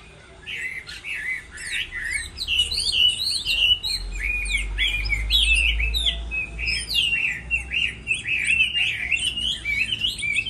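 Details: Moulting-season singing contest by Chinese hwamei: dense, rapid, warbled song of short looping whistled notes delivered almost without pause for ten seconds, with a low rumble in the middle.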